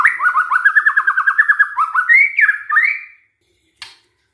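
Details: White-rumped shama song used as a lure recording to provoke other shamas into singing: a rapid run of repeated trilled notes, then rising whistled phrases, ending abruptly; a faint click follows after a short silence.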